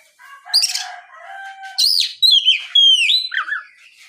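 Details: Lure song of an Oriental magpie-robin meant to provoke others into singing; soft warbled notes, then loud sharp upslurred whistles and fluting descending phrases in quick succession.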